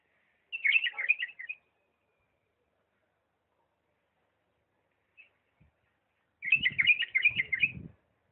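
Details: Two lively warbled phrases from a bulbul of Diyala in the refined 'lisanat' style, separated by near silence with one lone note, low rumbling during the second phrase.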